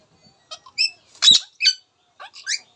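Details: Short, rapid run of the talking of an Indian ringneck parakeet: bright, harmonic squeaky notes and one harsher, louder burst, all high-pitched and closely packed.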